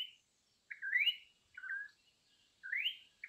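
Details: Campo troupial singing in an imported-bird master recording: a brief whistle, then a rising slurred phrase, a downslurred double note, and another upward-sweeping whistle, with quiet gaps between phrases.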